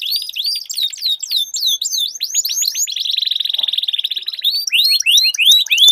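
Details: Duel between canaries, singing long rolls. Looping, up-and-down whistled notes give way to an even, very rapid buzzing roll at mid-pitch, then to clearer rising whistles.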